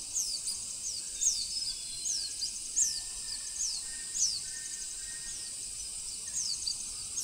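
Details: Hume's white-eye (Zosterops auriventer), small social bird of hill and submontane forest, gives quick, very high, thin downslurred sweet buzzing "tsee" twittering notes about every second over a steady high insect-like hiss.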